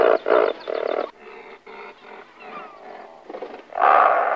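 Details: Razorbills calling beside their nests ahead of take-off, with loud pulsed grunts at first, softer overlapping croaking growls in the middle, and a final strong, harsh drawn-out call.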